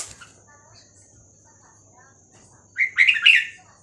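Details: Red-whiskered bulbul with a Vietnamese 3-4-5-6-7 song for teaching young birds and rousing birds: a quiet stretch with low hum and faint sounds, then one loud jumbled phrase of liquid, warbled notes.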